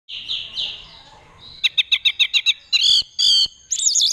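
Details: Kept orange-headed thrush from Mojokerto, Indonesia, singing in 'teler' style, a display said to attract a mate: soft warbled notes, then a quick run of about seven sharp repeated chips, followed by buzzy bursts and a wavering whistle.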